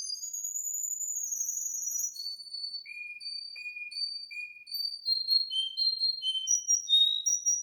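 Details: A Russian-type canary sings a run of pure, high whistles: long sustained notes, then short repeated phrases stepping up and down, clean and bright.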